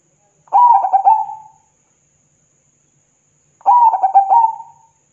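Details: Zebra dove singing in full voice, used to provoke other doves into answering: two cooing phrases about three seconds apart, each a quick run of soft, pulsed coos settling into a drawn-out final note, with quiet pauses between.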